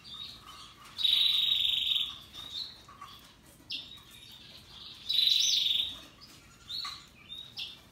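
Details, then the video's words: Russian yellow and Timbrado canaries singing happily: two loud rolling high trills about four seconds apart, separated by shorter softer chirped notes and brief twitters. "Canaries Paradise Song Sound"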